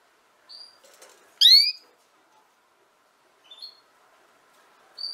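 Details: Female canary with scattered call notes: a couple of soft brief chips, one loud descending note with strong overtones, then a faint rising double note and a short whistle at the end, separated by long silences.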